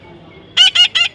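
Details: A baby parrot being tamed gives three quick, harsh, nasal squawks in rapid succession.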